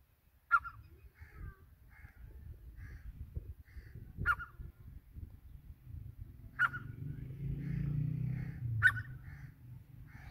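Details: Grey francolin calling: loud, harsh notes about every two seconds, each followed by softer clipped notes, over a low rumbling background hum.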